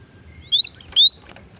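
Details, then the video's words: Cinereous tit female, her call used to lure other birds of its kind; three short whistled notes, each rising then dipping, delivered in quick succession. "Ampuh memancing bunyi gelatik batu betina ini"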